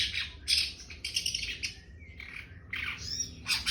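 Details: Young long-tailed shrike producing dense, scratchy, chattering calls with harsh buzzy bursts and a short whistled slur, almost continuous throughout.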